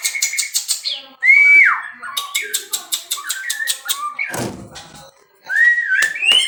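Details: White-rumped shama from captive breeding gives loud whistled slurs, one rising then sharply falling, another wavering, between rapid trains of dry ticking clicks.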